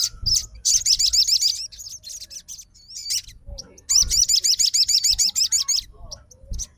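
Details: A sogon fighter answers another sogon's song with two long runs of rapid, high, looping warbled notes, about three per second, separated by scattered single chirps.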